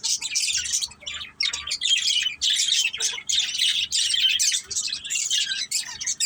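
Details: Family of budgerigars at play giving an almost unbroken stream of fast, buzzy, high-pitched chirps and squeaky warbles with only brief breaks.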